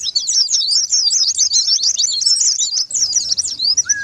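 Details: White-eye song used to prompt a silent bird to sing: a dense, fast, unbroken chatter of high twittering notes, with a steady low whistled tone entering near the end.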